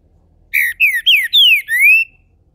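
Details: Captive green-winged saltator in Brazil, kept by a registered breeder, warming up into its main song: five loud, clear whistled notes, the first ones sliding downward and the last rising smoothly, closely spaced over about one and a half seconds.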